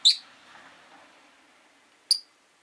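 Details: Shrill clipped chirp from a caged Rosy-faced lovebird, one of five at a window in the afternoon, followed by a faint trailing rasp and, two seconds later, another bright, piercing note.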